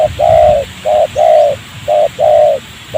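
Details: Spotted dove, rubber plantation near a village, trapping with a decoy; a wild bird responds. Throaty coos alternate long and short in a regular rhythm, six notes in three seconds, with quiet background.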